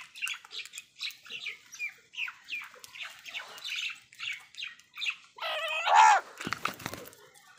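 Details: Angry crow tearing a leaf: a run of short, rough notes repeated roughly three times a second, then one loud, drawn-out hoarse caw followed by rustling.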